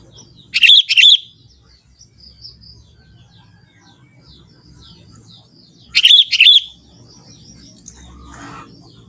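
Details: Young Sooty-headed Bulbul singing in forest, natural voice without mimicry: paired bright, gurgling notes, repeated about five seconds later, separated by quiet stretches of faint distant twittering and soft background noise.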